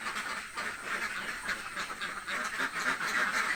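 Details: Short burst of hungry village ducks quacking in a dense overlapping flock, raspy calls coming several times a second.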